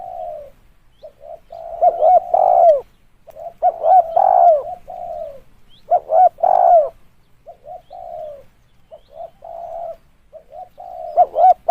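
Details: Spotted dove call used as a lure: a long run of repeated dove phrases, each with soft introductory coos, a quick double hoot and a loud, falling final coo. About five phrases come in steady succession.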